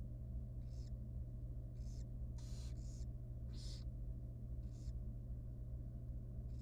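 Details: Wild barn owl nestling, very small and young, calling at feeding time inside a monitored nest box: repeated noisy, wheezing shrieks, about seven in a row, over a steady low drone.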